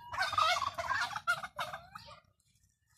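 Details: Domestic turkeys kept as backyard birds give a rapid, rattling gobble lasting about one and a half seconds. A short rising note follows, then quiet.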